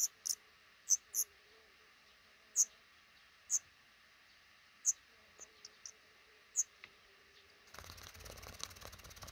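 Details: Black redstarts nesting in a small nook under a roof above a regularly used front door, a pair raising five chicks as eggs hatch; sharp, very high chirps at irregular intervals, about a dozen, ending in a burst of broad rustling noise.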